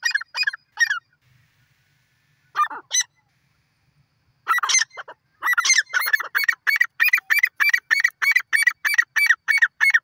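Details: Grey francolin calling: after a few scattered pairs of harsh, buzzy notes, a loud series of rapid, evenly spaced rasping notes accelerates into a steady rhythmic chant of about three per second, with no other sounds.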